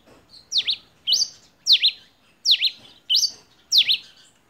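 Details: Pileated finch singing the pure, measured 'canto 21' (compassado) song style: bright, high chirps, each a quick double down-and-up sweep, repeated steadily about every 0.6 seconds over a quiet background.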